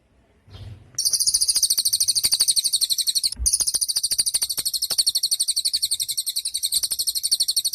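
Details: Cililin, a songbird used for training other songbirds, giving a long, very high, buzzy trill of rapid even pulses, about eight per second, running almost continuously for seven seconds with one brief break.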